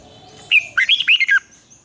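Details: A red-whiskered bulbul being trained for fighting-style singing bursts into a single quick, bright warbled phrase of five tumbling notes after a short whistled lead-in.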